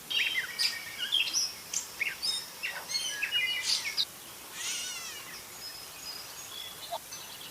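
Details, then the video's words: Gray catbird in a varied run of squeaky whistles, chatters and buzzy notes, delivered quickly for about four seconds, then a harsh downslurred burst and scattered thin notes over steady hiss. "Catbird Meowing and Singing"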